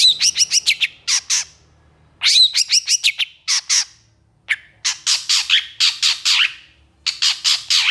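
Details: Long-tailed shrike in emotional full song: fast clusters of harsh, buzzy chattering notes in bursts of about a second, separated by short silences, sometimes a single note between runs.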